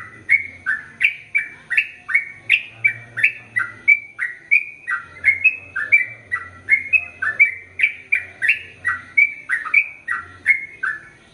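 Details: ['Sooty-headed bulbul in lively, chatty song of the long rapid-fire ropel panjang style, used as a training recording for male and female birds: an unbroken run of short bubbly whistled notes, about two each second, dipping and rising, with faint low hum.']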